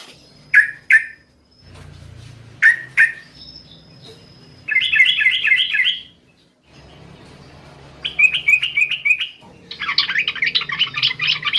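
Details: Yellow-vented bulbul, a female calling the male at night: paired bright chirps near the start, then fast bubbling rattled phrases repeated in bursts, with a low hum underneath.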